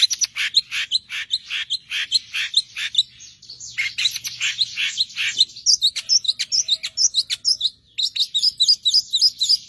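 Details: Long-tailed shrike delivering a master song meant for training songbirds: continuous high, lively twittering of quick chirps and whistled notes, varying in pitch, with a short pause near the end.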